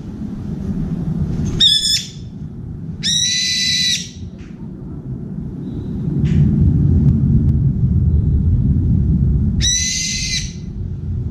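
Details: Brown-eared bulbul at an outdoor window feeder bar, calling to find a companion: three harsh, drawn-out screeching 'ppi-iiik' calls spaced irregularly, over a constant low rumbling background noise.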